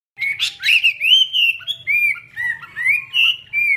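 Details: Chinese hwamei singing with wings spread in display: a continuous run of rich, clear whistled notes, slurred up and down and linked into flowing phrases with brief pauses, sung close and loud.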